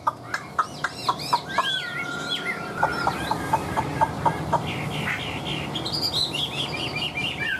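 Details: Hwamei held in a cage for more than two years sings a varied mix of sharp ticking notes, long sliding whistles and looping warbled phrases, amid a murmuring background.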